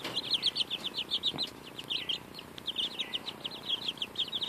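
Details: Baby chicks about two weeks old feeding on a strawberry; strings of sharp, high peeps repeat in rapid clusters, pausing briefly midway before resuming, over faint soft taps.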